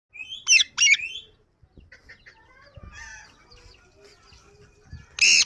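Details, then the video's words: Pet yellow ring-neck parrot calling: two loud, harsh, high screeches in the first second, then softer chatter and faint calls, ending with another loud screech. "So amazing voice yellow Ring neck parrot"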